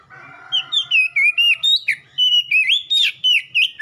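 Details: Oriental magpie-robin (kacer) song used as ombyokan training material to make a bird respond and sing: a fast run of loud, clear slurred whistles, each note bending up and down, repeated about four times a second.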